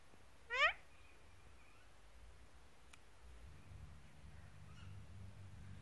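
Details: Indian ringneck parakeet out on a lawn, eating grass; one short, loud, harsh squawk with a rising edge near the start, then quiet with a low background hum.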